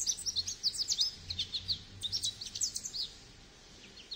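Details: Fast, jingling Goldfinch twitter, bright high notes fired off in quick succession, roughly two or three a second, fading into softer scattered chirps near the end.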